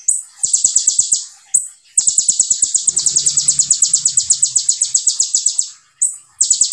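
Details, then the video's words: Sunbird (konin) singing actively in the rapid 'tembakan' style, used as a master recording: very high, thin notes fired in long, fast, unbroken trills, briefly paused twice, with faint clicking underneath. "KONIN GACOR FULL TEBAKAN RAPAT SEJALUR"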